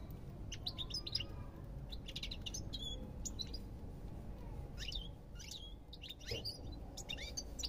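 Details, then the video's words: European goldfinch singing a varied, jangling series of high chirps, short whistles and twittered bursts in repeated clusters, with gentle low background noise. "تغريد طائر الحسون"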